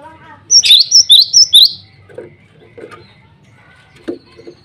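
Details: Male cinereous tit calling rivals and females with a brisk burst of six piercing, high whistled notes in paired rhythm, followed by quiet scattered chirps and low murmurs.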